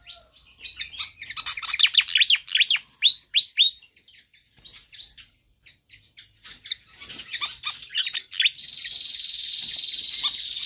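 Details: Energetic, persistent pied fantail song, used for tutoring or luring other birds: rapid cascade of downslurred squeaky chirps, a short pause, more chirping, then a long steady high buzzing tone.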